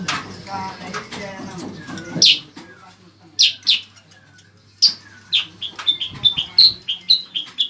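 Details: Bayeman (cicak kurincang) singing, used as master song for tutoring competition cage birds; scattered loud high chips at first, then a quickening series of short bright notes and whistles in the second half.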